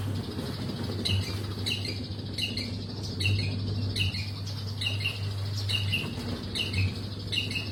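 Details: Long-tailed shrike giving a short, sharp two-part chirp repeated about every half second, over a steady low electrical hum and background noise.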